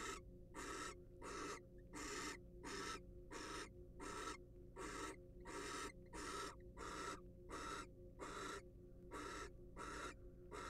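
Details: Barn owl, wild, recorded inside a monitored nest box: a long run of coarse, snore-like hisses, each under half a second, pulsing at a steady pace with short silent gaps.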